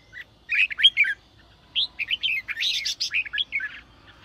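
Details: Red-whiskered bulbul singing in the sổ bọng style, played to stir newly caught birds into song: two bursts of bright, warbled whistled notes with quick rising and falling slurs, separated by a short pause.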